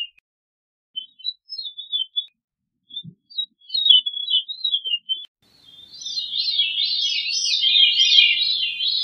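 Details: Veery singing: scattered thin whistled notes at first, then a loud continuous run of rapid, rolling spiral loops building toward the end; quiet background.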